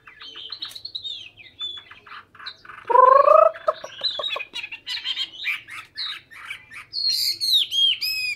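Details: Hwamei singing a long, varied song of quick chirps and whistles, with a loud, rich, rising double phrase in the middle and high, looping, slurred whistles near the end.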